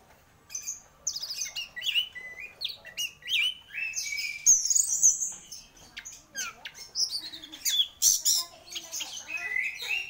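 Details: Orange-headed thrush in lively, continuous song: dense tumbling phrases of whistles, chirps and buzzy notes, delivered almost without pause and varying constantly in pitch.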